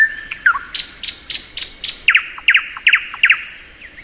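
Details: Spring song of a thrush nightingale. A low whistle and a quick slur lead into broad, rasping bursts. Crisp double clicks follow at about two a second, and a high whistle closes the phrase.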